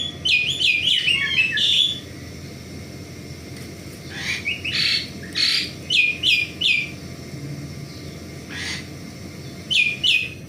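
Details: Asian pied starling active in the morning: an opening tumble of bright whistled notes, then spaced bursts of chirps and slurred whistles with pauses between, ending in a paired note.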